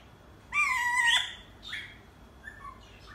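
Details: Alexandrine parakeet imitating a cat's meow: a drawn-out, falling, nasal harmonic note lasting over half a second, then a shorter rising note and a few soft, brief whistled notes, in quiet surroundings.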